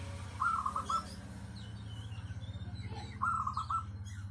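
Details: Zebra dove, local type with a crystal-clear, compact voice kept as a lure. Two brisk phrases of rapid, knocking coo notes about three seconds apart, over a pulsing low drone and faint bird twitters.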